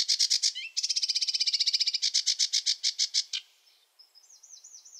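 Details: Sedge warbler song from wetlands: loud rapid rattling chatter in several rushed phrases, fading before a softer sweet wavering whistle at the end.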